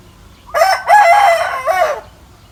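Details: Morning crow of a rooster perched high in a mango tree, loud and harmonic-rich: a clipped first syllable, a pause, then a drawn-out level wail closing with a final arched note, lasting roughly one and a half seconds.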